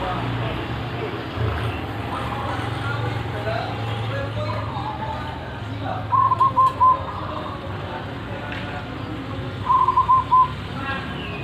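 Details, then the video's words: Wild local zebra dove with a big voice, heard twice giving brief clusters of four quick mellow coo notes several seconds apart over steady low rumbling background noise. "Perkutut lokal alam suara besar"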